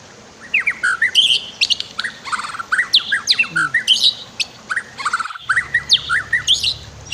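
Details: Training song of a white-rumped shama with a river: dense, varied phrases of whistles, chattering notes and sharp high chips in rapid succession, backed by continuous running water.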